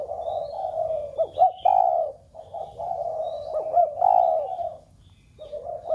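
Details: Spotted dove cooing to excite other captive doves into cooing: long low coo phrases broken by quick looping notes, then a pause and a new phrase, with faint high whistles from other birds.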